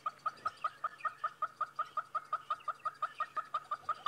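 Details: At least two young hornbills call from inside a narrow nest crack while their mother is away catching food, on a sunrise drive, 5 April 2017, late in the season. Evenly spaced clucking notes about three per second, steady, over a low engine hum.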